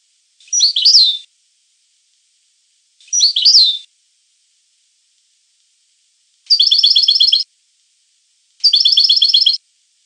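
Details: European goldfinch song: two short twisting twittery notes, then two even rolling trills of about a second each, spaced about two seconds apart.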